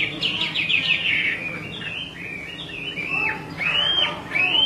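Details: Chinese hwamei female calling persistently as a male becomes unsettled, used to stimulate singing; a burst of fast buzzy notes leads into spaced, arching whistles that slide up then down.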